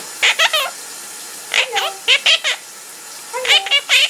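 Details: A singing male pet parrot, heard while his owner takes a shower, gives three quick bursts of bright harmonic chirps, three or four notes each, separated by short pauses, over running-water hiss.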